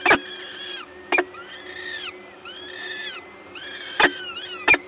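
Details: Peregrine falcon nest in Gdańsk, 14 May 2022 around 11:07, parent feeding: thin, arched whining calls in quick succession, broken by four sharp knocking clicks, likely from beak or movement at the nest ledge.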